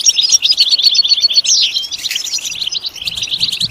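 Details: Rapid, jangling European goldfinch song, played to encourage singing. Dense high twitters are broken midway by a sharp descending slur and a buzzy phrase, then the fast chatter resumes over a soft low rumble.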